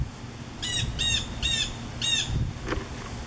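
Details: On a summer afternoon on 10 August 2015, a Blue Jay in backyard trees gives four harsh, squawking calls about half a second apart as a fast severe thunderstorm approaches, over a low rumble of wind; it is thought to be warning other birds.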